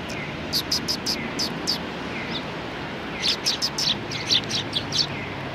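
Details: Eurasian tree sparrows chirping in clustered bursts, sharp high notes in runs of three to five, a quiet spell near the middle, then a busier flurry, over steady background noise.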